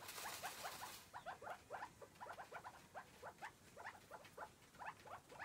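Chukar partridge giving rapid, repeated clucking notes in rhythmic bursts about twice a second, after a brief burst of rushing noise at the start.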